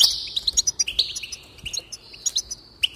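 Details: Lively goldfinch song with tinkling twittered notes and short slurred whistles, fast and continuous over three seconds, used to encourage a goldfinch to sing.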